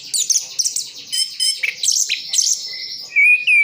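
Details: Orange-headed thrush from Sidoarjo, East Java, with a full mimicry song: high scratchy chatter and buzzy notes, ending in two clear wavering whistles at a lower pitch.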